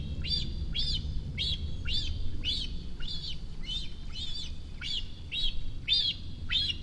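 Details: Nest-bound cinereous vulture youngster, about a month past its first flight, near Rascafría in the Guadarrama mountains. It performs its food-begging ritual on seeing a parent approach, with evenly spaced, bright squeaky notes that rise then fall, over a constant low rumble.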